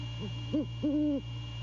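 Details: At 1:24 AM on a January night near Savannah, a male great horned owl gives two short, low hoots, then one long, deep, level hoot, recorded by a nest cam with constant hum beneath.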